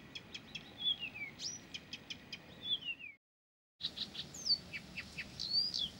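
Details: Blyth's reed warbler singing without pause: dry ticks, falling whistled slurs and a high upward note, broken by a brief gap, then resuming with varied chirps.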